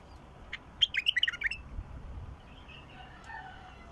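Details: Bulbul described as 'mukhlif', its song meant to get a silent bulbul singing: one rapid phrase of around seven clear, liquid warbled notes, followed by faint distant chirping and low background hum.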